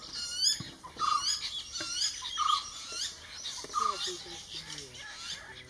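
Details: Common hawk-cuckoo chick, raised by jungle babblers, calling while fed: a series of sharp, high squeaky notes with short downward slurs in irregular bursts about once a second, with faint lower chatter underneath.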